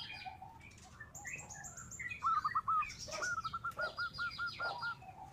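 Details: Zebra dove song used as a lure to call rival doves: a steady string of looped cooing notes, about eight in a row, over a hissing, noisy background with faint high chirping of other birds.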